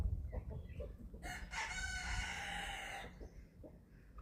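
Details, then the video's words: On a small farm in Germany, an eleven-week-old chicken at feeding time gives one harsh, strained crow lasting about two seconds, rich in harmonics, amid soft clucking from the flock before and after. "11 Week Old Chicks Feeding Time – 28 Minutes of Relaxing Farm Sounds"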